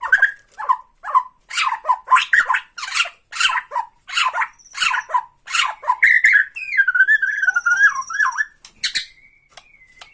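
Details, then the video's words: White-rumped shama from Borneo delivering tretekan song to goad rival shamas: a long string of clipped, rattling chips repeated about twice per second, then a smooth wavering whistle that rises and falls, ending in a few sharp notes. "BIKIN EMOSI LAWAN || TRETEKAN MURAI BORNEO MANCING MURAI LAIN"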